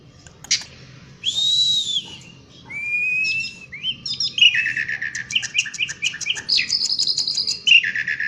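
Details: Singing Asian pied starling outdoors: a rising whistle, long steady whistles, then a fast run of repeated chattering notes and a sustained high whistle, steady and animated.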